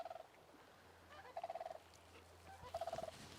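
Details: Sandhill crane calling from a distance, heard while foraging for wild greens in Montana in spring; three short, rolling, rattled bursts about every 1.4 seconds, faint against a low steady hum.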